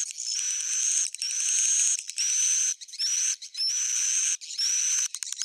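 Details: Raspy swiftlet buzzes in long phrases with uneven gaps, topped by clear high whistled notes that slide upward; an old-style "jadul" recording.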